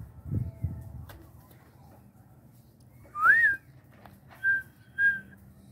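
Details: Red-winged tinamou, known locally as perdiz, giving a loud clear whistle that rises then dips, followed by two short level whistled notes about a second apart; low rumbling background and faint thumps.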